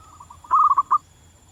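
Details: Local zebra dove in the wild giving a lively cooing song: faint soft coos lead into a quick burst of four or five rolling, bubbling notes ending on a fuller final coo, with steady faint hum behind.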